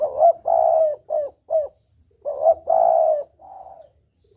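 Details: Clear spotted dove hunting lure recording in the double-kuk style: soft cooing notes in quick succession, a stretched coo followed by short clipped ones, then another phrase ending in a quieter trailing coo.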